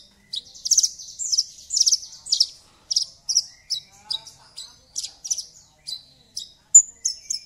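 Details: Javan bush lark song used as a prompt to get a silent bird singing: a fast run of high, bright chirps and short trills, repeated in quick bursts with brief gaps, one sharper whistled note near the end.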